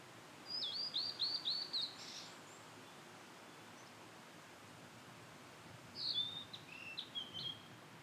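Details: Blue-and-white flycatcher song in satoyama countryside: a rapid run of high, rolling, trilled whistles, a few seconds of quiet, then a varied phrase of sweet whistled notes ending lower, against faint rustling background.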